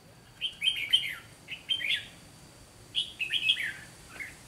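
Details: Caged red-whiskered bulbul used as a trap decoy, pouring out fighting song: rapid, bright, rolling chirp phrases in three clusters, ending with a softer note.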